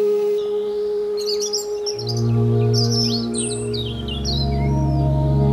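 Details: European robin song: bright, high, scattered notes and short slurred whistles in quick succession over a loud, steady low tonal drone like music that carries through the whole clip.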